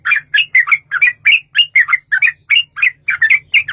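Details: Sooty-headed bulbul in long rapid 'ropel' song, a lure for other bulbuls: continuous bright, bubbly two-part notes, roughly four per second, with a faint low hum underneath.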